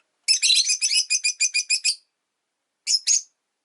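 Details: Pet rosy-faced lovebirds twitter in a loud, rapid string of chirps lasting under two seconds, then add a clipped double squeak; the five birds live caged by a window.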